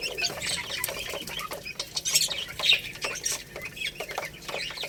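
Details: Rice-eating Lohmann Brown chicks, a little rooster and baby hen; quick high chirps about twice a second, irregular, over a bed of soft clicking and rustle.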